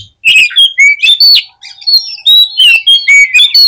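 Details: Brisk Oriental magpie-robin song aimed at exciting other magpie-robins: a steady string of bright, clipped whistled notes, some slurred up or down, delivered in quick succession with one brief pause.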